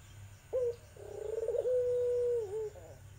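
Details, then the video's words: Barbary dove of the Iraqi or tangerine variety, a melodious call used as a lure to start a silent dove cooing: a short clipped note, then a rolling, throbbing coo that settles into a long, steady low tone, ending with a slight dip. "Burung puter irak/tangerine suara merdu cocok untuk pancingan puter macet"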